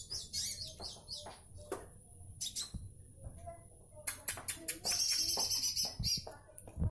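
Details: Olive-backed sunbird in vigorous, tightly packed song: scattered sharp high ticks, then a long, very high, rapid buzzy trill. Clicks, a constant high whine and low rumbling noise sit underneath.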